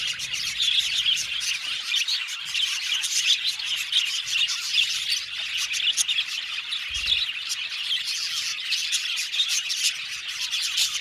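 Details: Budgerigar aviary colony giving continuous high chatter, a mix of squeaky chirps, short squawks and warbling notes from many birds, fairly even in loudness throughout.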